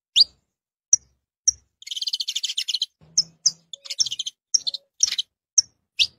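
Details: Saffron finch singing: isolated bright high chirps interrupted by a fast rattling trill of rapid repeated notes lasting about a second, then more clipped chirps and short buzzy bursts; faint low hum in the background.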